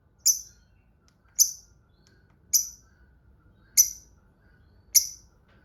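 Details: Pet lovebird calling five sharp, high, clipped chirps, each about a second apart and evenly spaced, with silence between them.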